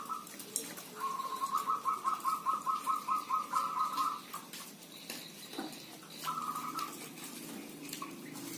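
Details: Village zebra dove among many calling birds: a long, evenly pulsed staccato trill runs for about three seconds. A shorter trill follows later, with soft rustling and clicks around it.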